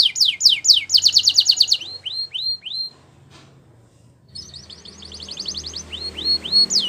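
A Belgian canary sings bright rapid trills and rolls, then a run of slurred downward whistles. After a brief pause it starts the phrase again.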